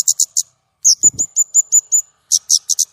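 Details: White-rumped shama singing with a clear voice: bursts of harsh high notes around a steady run of clipped, level whistles, with a brief low thud in the middle.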